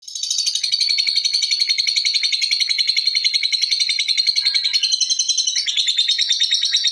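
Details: Lovebird giving ngekek, a long continuous chatter: rapid, steady, high-pitched chirping pulses, roughly four per second, running unbroken for the whole stretch with a slight upward shift near the end; no other sounds.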